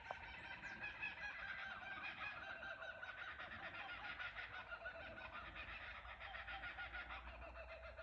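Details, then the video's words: Chorus of kookaburras recorded from a cottage verandah at Ballandean: continuous dense, overlapping cackling and chuckling laughter from several birds, with no pauses throughout, over low background rumble. "Kookaburra sounds"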